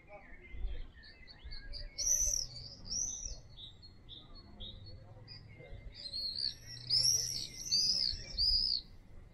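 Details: Common swifts calling near a house: repeated piercing high screams in bursts, some overlapping as several birds pass, with quieter twittering between them and faint low background noise.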